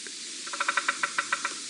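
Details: A distant Bearded Woodpecker drums on a dead tree in Sabi Sand, South Africa, on a morning drive on 9 September 2017: about ten dry, even knocks roughly a tenth of a second apart, over a soft hiss.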